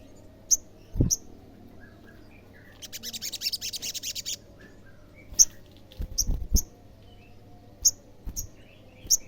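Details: Olive-backed sunbird song played to provoke other sunbirds into answering: sharp, very high single chips spaced about a second apart, with a fast buzzy trill in the middle. Occasional low thumps.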